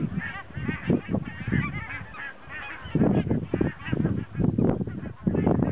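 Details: Mixed flock of geese, some from the Arctic, resting in their thousands on a Swedish lake near Stockholm during autumn migration, 22 September 2009; bursts of honking and yelping calls come and go amid strong gusting wind.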